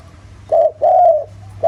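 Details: Spotted dove giving a 'giọng thổ' style coo meant to provoke other doves into calling: a brief hoot, then a longer drawn-out coo, with the next phrase starting, over a faint low hum.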